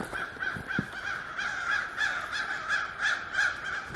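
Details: Crows cawing to drive a barred owl from their forest during a cold winter woodland hike in January; harsh, hoarse caws repeated in quick overlapping series, roughly three per second, several birds calling together with a faint thump early on.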